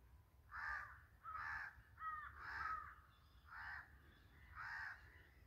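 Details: Jungle birds while feeding: six harsh, rasping calls, each about half a second long and rich in overtones, repeated roughly once a second over low background rumble.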